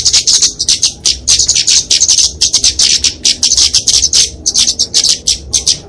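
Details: Flowerpecker fighting song, used to train and lure small birds: clipped, very high chirps strung into quick rattling phrases, loud and regularly broken by tiny pauses.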